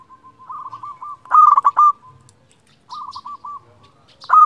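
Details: Local zebra dove, a vigorous singer kept to provoke and call rival doves: soft rolling coos lead into loud clipped bubbling bursts, the pattern repeating twice, with a few faint high chirps between.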